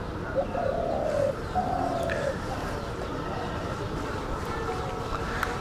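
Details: A dove, one of a pair perched in a hog plum tree in a village, calling its mate so it can lay eggs: soft low cooing in two drawn-out phrases early on, over a steady background hum with faint distant sounds.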